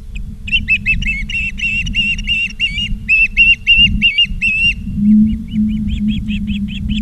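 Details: Osprey at its Charlo, Montana nest on 17 August 2023, 16:04, from a live camera: a long rapid string of about fifteen piercing whistled chirps, then fainter, thinner chirps continuing over a low hum.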